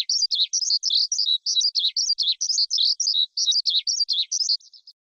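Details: Song of the forest skylark, played by keepers to provoke wild birds, for trapping or tutoring young birds; fast run of jumbled high chirps and slurred whistles in tight bursts, fading out near the end, no other sounds.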